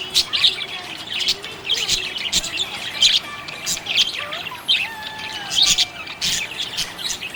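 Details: Happy budgerigars chirping: dense overlapping warbles and sharp high chirps in quick bursts, with short rising and falling whistled notes threaded underneath, continuous chatter throughout.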